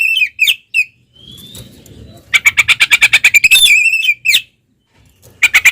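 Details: Oriental magpie-robin in fighting song meant to provoke rivals: a whistled slur, then a fast run of sharp repeated notes and squawky phrases, with a low murmur of voices underneath.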